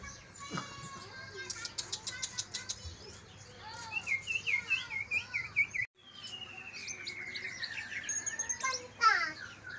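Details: Greater green leafbirds from Kalimantan and Banyuwangi, a recording meant to stimulate lazy leafbirds to sing: bursts of dry clicks, a run of short arched chirps, then a long sliding whistle and a final busy flourish.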